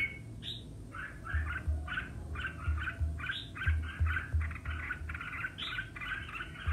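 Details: Red-whiskered bulbul competitive song, a continuous run of quick warbled chirps with an occasional higher note and low thumping background sounds.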